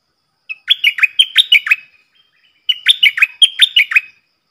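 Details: Stripe-throated bulbul used as a decoy bird, singing the double song meant to train youngsters and attract wild birds. Two lively strings of six or seven bouncing, slurred whistles separated by a brief pause in a quiet setting.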